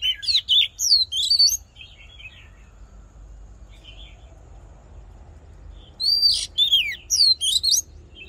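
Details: Oriental magpie-robin fighting song, used to fire up a male for voice training: quick run of loud twisting whistles, a lull with soft low chattering notes, then a renewed vigorous phrase.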